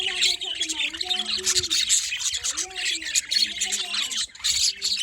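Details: Morning budgerigar chatter: an unbroken, scratchy, warbling stream of high chirps with occasional sharp squeaks and soft lower tonal murmurs.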